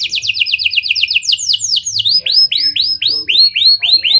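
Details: Caged canary in a chattering song, mimicking lovebird and prinia phrases, used to lure other canaries into long singing; fast descending trills give way to rising whistled sweeps repeated about four times a second.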